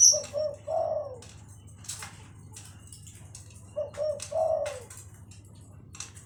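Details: Cooing spotted dove set against a lovebird: two phrases, each two quick soft coos then a drawn-out falling note, separated by a gap with sharp clicks and high chirps over a low hum.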